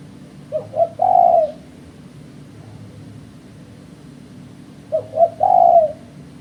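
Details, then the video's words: Spotted dove call played to attract birds for trapping. Two identical phrases come about four seconds apart, each made of two clipped coos leading into a longer, rounded low coo, against a quiet hum. "Suara Burung Terkuku"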